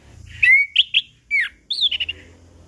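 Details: Chestnut-capped thrush 'ngeplong' song used to trigger silent birds: a long gliding whistle with a buzzy tail, short burry notes, then a descending series of four quick warbled whistles.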